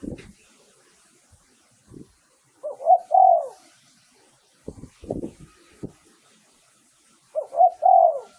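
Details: Spotted dove lure song for calling wild doves: two low rolling coo phrases, each a few quick notes ending in a drawn-out coo, separated by soft knocking and tapping sounds in an otherwise quiet setting.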